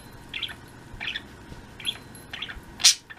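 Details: Pet budgerigar flock on an afternoon in 02.03.16: soft, buzzy chirps repeated roughly every half second, ending in one louder, sharper chirp, over a low steady background hum.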